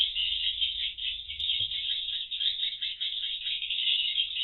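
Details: A crowd of swiftlets in a void room before entering the roost room, on CCTV: continuous high, rattly twittering chorus, with one brief click in the middle.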